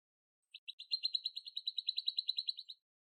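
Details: Canary training master for competition birds, recorded softly: one steady trill of about two seconds, with short bright notes repeated rapidly at an even pitch, starting faint and swelling louder before stopping abruptly.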